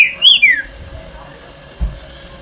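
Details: A green-winged saltator, a male singing, gives a single loud whistled phrase that rises and then slides down, lasting about half a second, followed by faint background hum and a soft thump; finding: Green-winged saltator.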